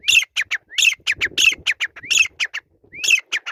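Grey francolin calling in loud, harsh, high-pitched phrases: a rising note followed by several clipped shrieks, repeated about every second.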